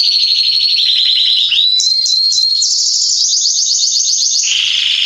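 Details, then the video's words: Salsa-line Belgian canary male in warm-up song for other canaries: loud, unbroken, rapid trills shifting pitch several times, with short repeated upper notes midway and a lower rolling trill at the close. "Canário Belga Salsa macho cantando - Esquente seu canário belga em 30 minutos"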